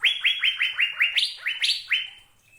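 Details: Asian fairy-bluebird song: roughly ten loud, quick upslurred whistles in an even series, a few jumping higher, then fading out.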